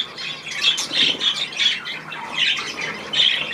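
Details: Budgerigars wanting to bathe, recorded on 16 March 2024: overlapping squawky and warbled high notes in short bursts about every half second, over a hissy background.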